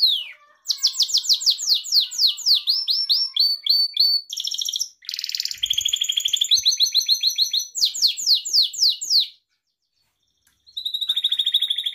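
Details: Gloster canary, a pet breed, in full song: a series of rapid sweeping trills, a buzzy rolling passage, and more trilled tours, a short silence, then a steady high pure-toned trill.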